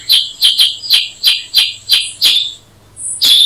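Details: Black-headed Bulbul (Brachypodius atriceps) calling with a string of about eight loud, clipped chirps spaced roughly every third of a second, then a short pause and a final sharp note.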